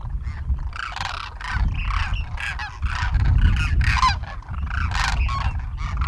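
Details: Wintering flock of Demoiselle cranes feeding on the ground at Khichan village, Rajasthan, India: dense overlapping honking, croaking calls from many birds, several per second, with a steady low rumble underneath.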